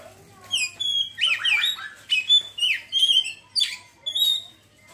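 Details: Oriental magpie-robin (kacer) ngeriwik song, opening up straight away: a lively string of varied whistles, rising slurs and scratchy chattering notes, nearly continuous for several seconds before trailing off.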